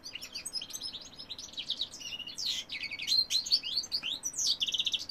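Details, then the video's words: Continuous song from a male European goldfinch: a dense, fast stream of high twittering and tinkling notes, with rolled trills and slurred chirps and no break. "goldfinch cock singing"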